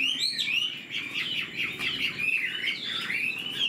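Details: Caged Chinese Hwamei in fresh plumage, fanning and flicking its tail; a brief burst of warbled, slurred whistles, somewhat rough and blurred.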